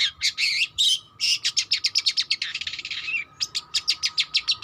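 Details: A young long-tailed shrike learning to sing mixes harsh buzzy notes with a quick rattling trill, then a string of evenly spaced sharp chips, over a faint steady hum.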